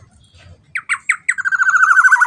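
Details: Black-naped oriole in a loud lure track meant to draw out song: three separate hoarse, nasal notes, then a fast, even train of buzzy pulses running to the end; faint low rumble before the calls.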